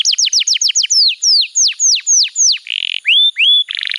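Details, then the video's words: Master canary song for young birds, with quick descending sweeping notes slowing into longer sweeps, then buzzy trills alternating with rising whistled notes. "Masteran Kenari PAUD & Pancingan Kenari MACET BUNYI‼️"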